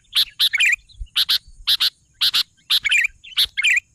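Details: Lively singing of a sooty-headed bulbul, double sharp notes each trailed by a short bubbly twittered phrase, repeated several times in quick succession.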